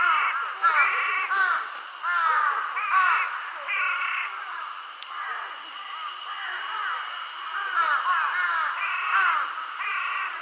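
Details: A group of mostly young crows, possibly calling for their parents, give weak, harsh, nasal caws over one another in bursts every second or two.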